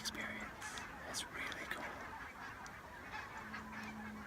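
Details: Wild barnacle geese on their wintering grounds in southern Scotland, heard from a hide before sunrise: a low-level backdrop of many yelping calls with a few nearer bursts of honks and brief clicks.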